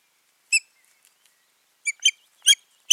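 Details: Osprey pair at the nest on 14 June 2019: a single sharp, high yelping note, then after a pause a quick run of three to four clipped, harsh whistled calls, with silence between.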